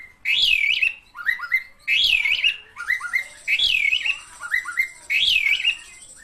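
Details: Local Javan pied starling singing at full voice. A loud whistled phrase that rises and falls is followed by pairs of short upslurred notes, and the whole motif repeats about every one and a half seconds over a quiet background.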